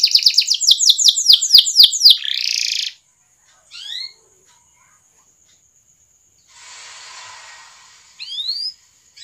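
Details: Canary lure song meant to get other canaries rolling and singing: a run of quick, sharply descending high notes ending in a harsh buzz, then silence broken by a few isolated rising chirps and a soft hiss.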